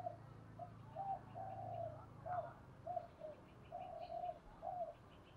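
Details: Faint spotted dove decoy in the 'giọng thổ' voice style, used to provoke wild rivals into calling; soft repeated mid-pitched coos in short phrases over a steady low hum and background noise.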